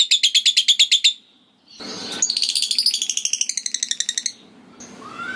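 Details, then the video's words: Caged lovebird doing the ngekek style, a long chatter said to set other lovebirds singing: two fast runs of high, buzzy, evenly repeated chips about thirteen per second, broken by a short rustle, then a faint rising note. "Lovebird Bunyi Ngetik Lanjut Ngekek Panjang !! Jitu Memancing Lovebird Lain Langsung Ngekek"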